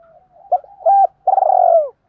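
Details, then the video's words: Spotted doves, male and female, cooing to stimulate captive birds kept for coo training. Two short mellow hooting notes are followed by a long, throbbing coo that slides downward at the end. The background is quiet. "Tiếng chim cu gáy kích bổi"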